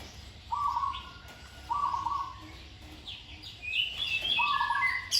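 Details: Trained zebra dove giving even, trilled coo phrases at a steady low pitch, while other small birds chirp and twitter at a higher pitch near the end.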